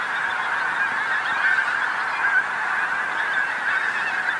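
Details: Hundreds of Pink-footed Geese coming down on a roadside field by the A149, North Norfolk coast, England, as the sun sets; constant overlapping honks, with a few clearer individual calls rising above the dense chorus.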